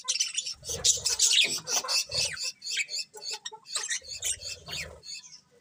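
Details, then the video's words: Several pet budgerigars in lively continuous chatter, scratchy high chirps and warbles packed closely together, with soft low rustling or flapping sounds between bursts. "Cute Colourful Budgies Chirping Sounds"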